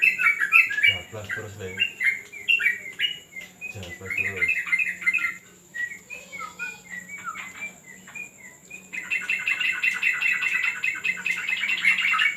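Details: Yellow-vented bulbul training on a terrace: bright warbled phrases broken by low murmuring voices, then a quieter stretch of scattered chirps, ending in a loud, buzzy, continuous chatter over a thin high hum.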